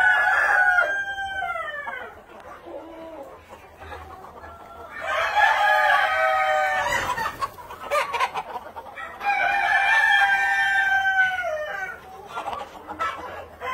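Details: A Red Shoulder Yokohama rooster, a rare breed developed in Japan, gives three long, drawn-out crows about every four to five seconds, each rising then trailing off, with soft clucking in the quieter gaps.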